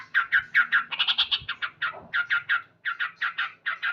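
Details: Male yellow-vented bulbul singing loudly in the morning, a rapid series of short, harsh chattering notes in clustered bursts, with a brief lower rasping note near the middle and faint low hum beneath.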